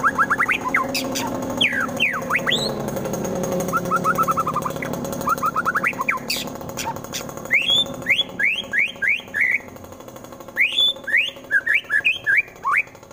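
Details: White-rumped shama from Wonosobo, Central Java, delivering rough 'tembakan' song to rile rival birds into fighting: varied chirps and sweeping notes early, then a long series of sharp rising whistles repeated about twice a second over a low background hum.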